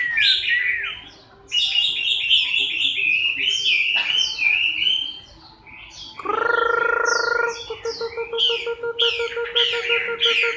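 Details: Chinese hwamei singing while moulting, October 2015: rapid varied high whistled phrases with quick slurred up-and-down notes. Midway, a steady low humming tone with harmonics enters beneath the bird's continuing notes.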